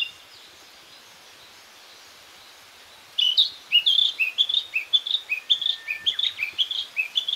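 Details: Narcissus flycatcher singing among fresh green leaves on a walk in northern Harima, central Hyogo Prefecture, Japan: after three seconds of quiet, a rapid run of clear, high warbled whistled phrases, notes repeated briskly for about four seconds.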